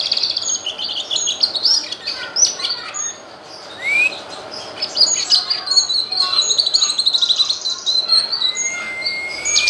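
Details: Grey-cheeked bulbul song meant to add variety to other songbirds' repertoires: busy high twittering and chips, a short upslurred whistle, a long warbled run, and a final rising whistle.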